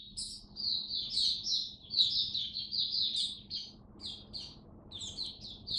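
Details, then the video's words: Oriental white-eye (mata puteh), a caged hobby songbird, singing its 'raja' song: continuous high, sweet twittering warble of quick slurred notes rising and falling, with faint low background hum. "Mata Puteh Buka Sing Raja"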